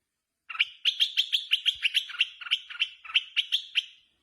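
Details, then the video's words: Red-whiskered bulbul singing in a contest, released outside: a rapid run of short, bright warbled notes repeated about every quarter second for over three seconds, with no other sounds. "chào mào hót đấu mào mơ thả ra ngoài rít ác"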